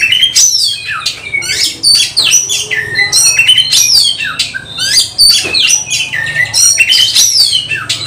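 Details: Fighting oriental magpie-robin delivering loud, energetic song: clear descending whistled slurs mixed with harsh buzzy bursts and quick chirps, phrases tumbling over each other, faint low hum beneath.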